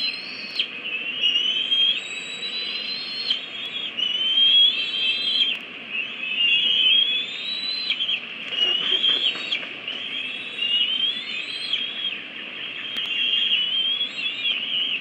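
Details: At a bald eagle nest in May, eaglets aged 53 and 54 days greet their arriving mother, bringing a stick rather than food, with aggression: long runs of high, thin, squealing whistles rising and falling, nearly nonstop, with faint clicks.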